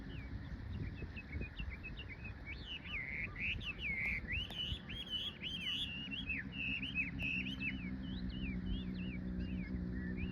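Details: Bird singing on 2 April 2022, after cherry blossom, at a cherry-embankment park beside the Nishi-Kinugawa river's left bank. Long unbroken warbling of bright twisting whistles and chirps, with a steady low mechanical hum rising in the background later on.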